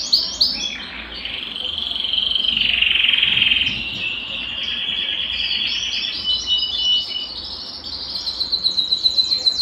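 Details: Belgian canary song for warming up a cold canary. A varied stream of high trills and warbles with a dense, buzzy middle passage ends in a clear run of rapidly repeated chirps.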